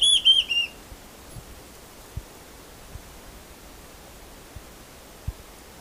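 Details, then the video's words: Large-tailed Antshrike (borralhara-assobiadora) singing: a quick run of about four clear, high whistled notes within a second, followed by near silence with a few faint low knocks. "O Canto da BORRALHARA ASSOBIADORA (Mackenziaena Leachii) - Bird Song - Large Tailed"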